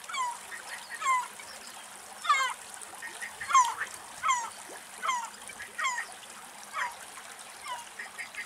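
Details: Spur-winged lapwing (Vanellus spinosus) in Greek nature giving loud, harsh, nasal notes that slur downward, repeated roughly once a second in short bursts over a faint low hum.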